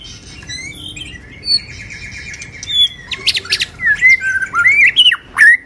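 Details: White-rumped shama singing while moulting; soft high whistles at first over background hiss, then louder phrases of sharp, swooping whistled notes and clicks in the final seconds.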